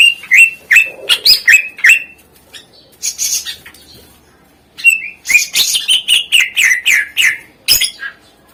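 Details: Greater green leafbird singing a lively, varied song, used to coax reluctant birds into singing. Bursts of quick, sharp chirps and buzzy whistles arrive in fast runs, with a near-silent pause of about a second midway.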